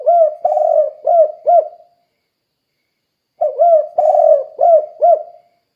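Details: Lively spotted dove calling, meant to lure derkuku doves to call quickly: two identical phrases of four soft, low coos, a long rolling note followed by two short rounded ones, separated by about a second and a half of silence.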